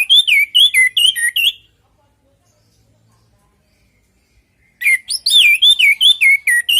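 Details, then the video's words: Orange-headed thrush singing naturally, played as a lure so other birds reply: fast strings of looping, slurred whistles and sharp chips, a burst, a pause of about three seconds, then another lively burst. "Pancingan burung anis merah|Agar nyaut Dan ikut ngeplong|"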